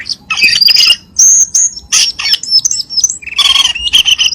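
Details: Cucak keling lure sound for kept birds: loud harsh chatter mixed with high drawn-out whistles and descending slurred notes, in quick bursts with brief pauses.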